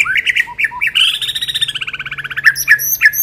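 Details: White-rumped shama training lure: choppy whistled notes give way to a long rapid pulsing trill that slowly falls in pitch, ending in sharp chip notes and high thin tones.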